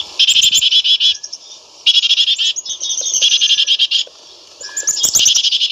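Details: Loud, close Black-capped chickadee repeating harsh buzzy dee notes in three to four long rapid bursts, each a fast string of rasping notes, with short quiet gaps and a faint whistle between bursts.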